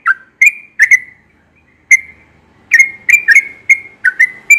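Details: Yellow-vented bulbul singing in the morning, described as often singing then and as sweet-voiced: short liquid whistled notes, some slurred downward, given in quick bursts with brief pauses between them. No other sounds.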